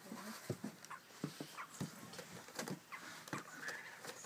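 A Grey parrot chick gives soft, irregular grunts and clicking croaks about once a second, with a few brief higher squeaks, in a quiet room.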